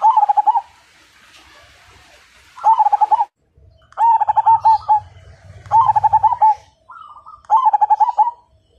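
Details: Majapahit-type zebra dove, a strong fighter singer used to prompt other doves into song, delivers five quick rolling coo phrases of stuttering pulses, separated by short pauses, over faint low background rumble.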